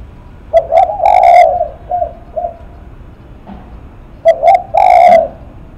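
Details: Spotted dove, a 'lắc mặt' type, repeating its cooing phrase twice: two short coos, then a long mellow note, with softer single coos in between; nearby and loud.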